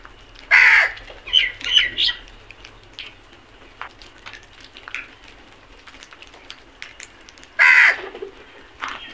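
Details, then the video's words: Flock of crows attacking food, calling in loud hoarse caws, a cluster of three early on and another strong caw near the end, with quieter flock chatter throughout. "Flock of crows attack on food beautiful video | Beautiful crows sounds"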